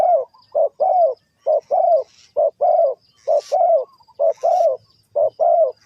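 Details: Spotted dove, Ninh Thuận, in a trapping setting, repeating a regular two-note coo, a brief low note then a longer mellow one, six pairs in six seconds, with faint scratchy sounds between.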